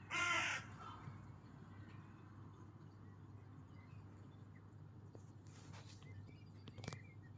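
A single loud, harsh, squawking gull call opens the recording, then only a steady low hum with a few faint clicks and taps.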